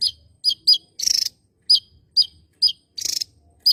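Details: Javan tesia, endemic to Java, singing energetically: sharp high chirping notes dropping slightly in pitch, mixed with two longer fizzy, rattling bursts.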